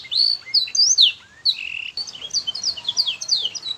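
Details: Teaching recording of a canary, looped for young canaries so they sing sooner: a few loud, clear whistled slurs at the start, a short pause, then a rapid chattering run of high chirps.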